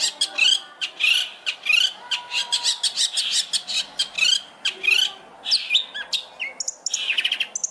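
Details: Long-tailed shrike (cendet) training song with rich fill phrases: steady stream of scratchy, buzzy notes, about one and a half per second, with interspersed short whistled chirps.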